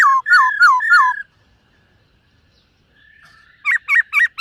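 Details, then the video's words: Silver-eared laughingthrush in morning song practice: three swift falling whistled phrases, a long pause, then four quick rising-and-falling notes. "Khướu BẠC MÁ hót MÚA luyện giọng . Khướu hót sáng luyện giọng kích bổi"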